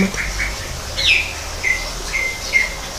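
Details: Greater green leafbird kept in an aviary made to resemble a natural habitat. A few short chirps, then a rising whistled slur and several flat, clear whistled notes spaced about half a second apart.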